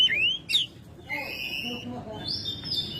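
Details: Oriental magpie-robin, a home-kept bird in full song during May, giving loud whistled phrases with rising slurs and sharp chips, broken by quieter gaps and faint background noise.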